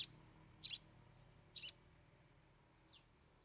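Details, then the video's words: Cendet (long-tailed shrike) singing 'bongkar 3 isian': two loud scratchy bursts, then a quieter downswept whistle near the end. "Cendet Bongkar 3 Isian"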